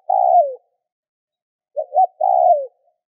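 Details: Spotted dove calling to prompt other doves to answer: a trailing long falling coo, then a full phrase of two short hooting notes and a sustained descending coo, with silence between.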